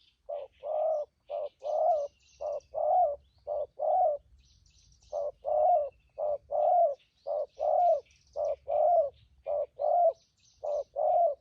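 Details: Wild-caught spotted dove decoy cooing in thúc gù and phóng rước style: a long, fast series of paired coos, brief note then longer falling note, with a short break midway, light bird twittering and low rumble behind.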